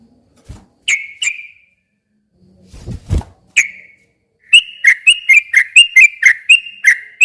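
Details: Sooty-headed bulbul song used as a lure to provoke a silent bird into answering. Scattered, sharp whistled notes with thumps, then a fast run of about ten bright, clipped notes repeated roughly every third of a second.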